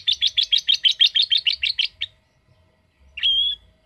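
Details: Lovebird 'ngetik' ticking: about a dozen rapid, sharp chip notes in an even run lasting two seconds, then a pause and one short rising, drawn-out squeak.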